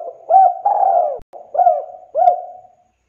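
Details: Spotted dove in lively, prolonged cooing used as a lure to prompt other doves to sing: low, mellow coos with short rising notes and a long drawn, falling coo, about four phrases, with no other sounds.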